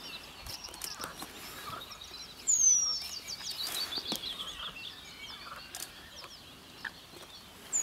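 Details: A male Eurasian penduline tit gives two very high, thin, drawn-out descending 'tseee' calls, several seconds apart, over a steady hiss of background noise.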